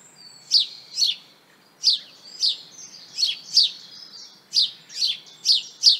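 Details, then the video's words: House Sparrow in a garden giving its simple song: a series of very short, unmelodious chirps, about a dozen sharp high cheeps repeated roughly every half second in loose pairs over six seconds. "Le chant du moineau consiste en une suite de piaillements très brefs et peu mélodieux."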